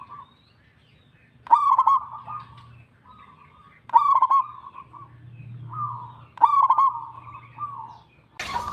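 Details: Local zebra dove in full song, giving three phrases about two seconds apart, each opening with a loud, bubbling burst and trailing into softer, quavering cooing notes over a low background hum.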